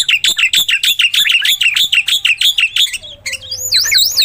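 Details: Gacor song of a Black-winged myna, used as a prompt for mynas that will not sing: rapid, evenly repeated piercing chirps, about three a second, ending in wavering, warbled whistles.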